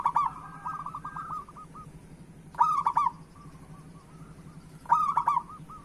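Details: Zebra dove of local stock, kept to stimulate silent doves to sing, gives bright clipped cooing bursts roughly every two seconds, each a rapid string of short notes, while fainter doves coo more evenly in the background over low hum.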